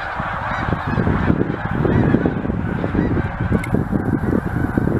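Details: Huge flock of geese on its yearly stop, overlapping honks partly masked by strong low rumbling noise, likely wind.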